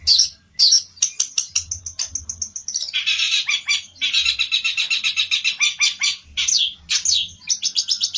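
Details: Agitated olive-backed tailorbird singing as it seeks a rival: sharp high notes and ticking chips give way to long, dense, rapidly pulsed harsh trills, ending in quick repeated notes.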